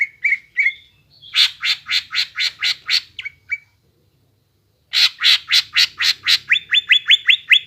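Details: Greater green leafbird song for stimulating young birds to sing: short whistles lead into a run of harsh buzzy rasps, then after a pause more rasps and a rapid string of rising whistled notes.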